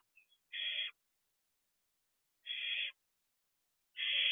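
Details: Barn owl owlet at a nest box at night, 4:31 am, looking around outside. Three harsh, hissing rasps about half a second long, spaced roughly two seconds apart, with a faint chirp before the first.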